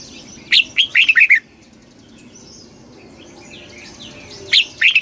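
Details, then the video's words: Red-whiskered bulbul in fast kích bổi song, giving a quick phrase of rich slurred whistles, then a pause filled with soft distant chirps, then another phrase starting. "tiếng chim chào mào kích bổi cực nhanh"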